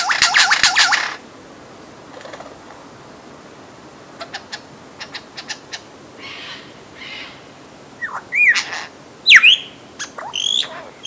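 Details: Lyrebird singing a varied medley: an opening burst of rapid harsh rattling, scattered sharp clicks and soft hissy notes, then loud whistled swoops and slurred calls toward the end.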